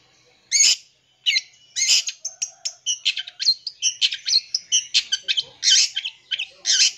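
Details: Long-tailed shrike song packed with mimicry, used to provoke young birds: harsh, buzzy bursts mixed with thin high whistles, speeding into a rapid chattering run of varied notes after a slow start.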